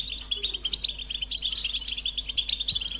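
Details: European goldfinch song: a fast, bright twittering of tinkling notes and short trills, continuous for three seconds, with only faint background hum.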